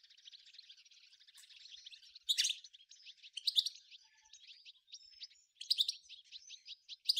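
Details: Fainter, more distant-sounding chardonneret song of the Algerian 'nature' type from Souk Ahras (Taghast): a continuous scratchy high warble broken by loud sharp chips and short buzzy bursts every second or so.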